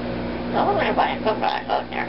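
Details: A male Double Yellow-headed Amazon, which talks only while the washer or dryer runs, speaks short, hoarse phrases like "hello" and "how are you", a few syllables every half second, over the appliance's steady low hum.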